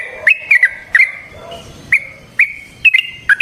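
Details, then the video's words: Yellow-vented bulbul calling with loud single slurred chips, spaced about half a second apart, some doubled, over a quiet background; used as a lure to make other bulbuls sing. "Suara Burung Trucukan GACOR ROPEL Panjang Ampuh Untuk PANCINGAN TRUCUK"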